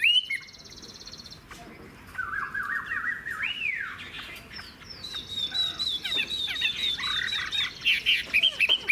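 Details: Old wild-caught Chinese hwamei, caged, giving softer stepped whistled phrases that build into higher, quicker twittering and whistles over a faint background hiss.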